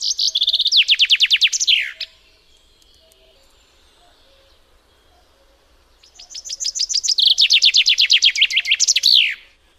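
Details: Common chaffinch song: two loud strophes about four seconds apart, each a rapid run of repeated sharp descending notes that speeds up and ends in a brief downward flourish, over a quiet background.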